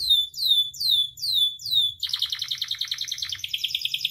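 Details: Training and provoking song of a captive canary: five loud descending whistles at a steady pace, switching abruptly to a fast buzzy rolling trill that continues to the end, over a faint low hum.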